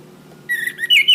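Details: Orange-headed thrush song for cage-bird training. A short, bright whistled phrase wavers upward into a higher, richer note.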